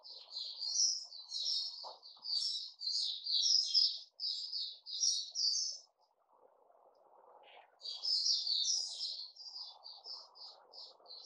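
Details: Captive Puteh Raja bulbul, fed a fruit juice and mealworm combination, dated 08-05-2021: long runs of quick, chattery warbled notes, a pause, then more, over a low background murmur.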